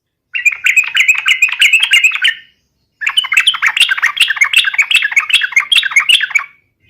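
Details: Lively song of a yellow-vented bulbul (trucukan), played as a lure so other birds answer: two bursts of fast, chattering, bubbly warbles separated by a short silence, rich and loud throughout.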